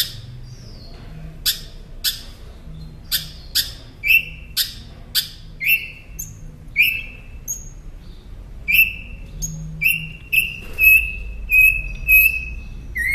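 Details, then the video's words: Northern mockingbird song used as tutor audio for training caged songbirds: a varied series of sharp high chirps and clicks, then whistled notes repeated in runs of several identical phrases, about two per second, with faint low background hum. "Masteran Pintar Burung Kicau Northern Mockingbird"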